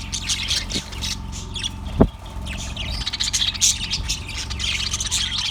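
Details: Recorded February 18, 2024, a yellow budgerigar chirps and twitters in quick, irregular high notes with one sharp click-like squawk partway through, all over a steady background hum.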